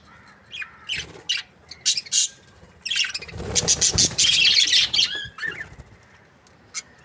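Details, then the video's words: Budgerigars kept as breeding pairs give scattered harsh, buzzy chirps and short squawks in separate bursts, then a dense chattering stretch in the middle before the calls thin out again. "Amazing budgies chirping sounds"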